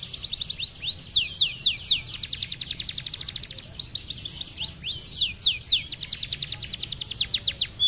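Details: Canary in full vigorous song, used as a master recording for tutoring young contest birds: rapid series of high downslurred whistles, about four per second, broken by looping arched notes and fast rattling bursts.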